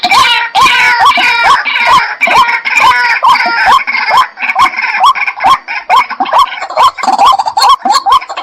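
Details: White-breasted waterhen, called dahuk in Bengali, giving a steady series of rising, hooked notes about twice a second, with a dense, harsh layer of overlapping higher sound throughout.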